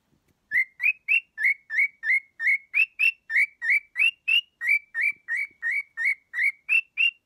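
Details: A male pet cockatiel (Nymphicus hollandicus) sings a steady run of bright, rising whistled notes, about three each second, near a stuffed dog he habitually sings or displays heart wings to.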